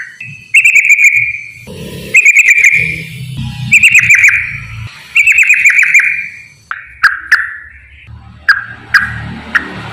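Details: Yellow-vented bulbul giving energetic rapid-fire 'ropel' song meant as a lure for reluctant singers: loud, bubbling phrases repeated about every second and a half, then sharp separate whistled notes near the end, with a faint low rumble behind.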